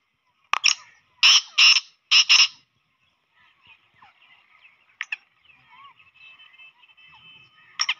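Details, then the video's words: Black francolin (kala teetar) call, used to quickly lure francolins and get them excited: loud, harsh, grating notes, one then two quick pairs, with fainter bird chatter and a later harsh note behind. "Teetar ko Jaldi bulani aur Masti men lane wali Awaz تیتر کو جلدی بلانے اور مستی میں لانے والی آواز"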